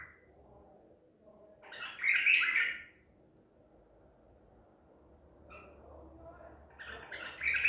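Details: ['Captured at Medical City on 14 April 2021, a Baghdadi white-eared bulbul sings a loud gurgling phrase, then short scattered notes building into another warbled phrase.']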